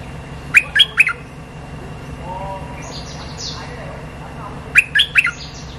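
Streak-eared Bulbul giving two brisk bursts of four sharp, chirpy notes about four seconds apart. Faint higher twitters and a soft background hum fill the gap.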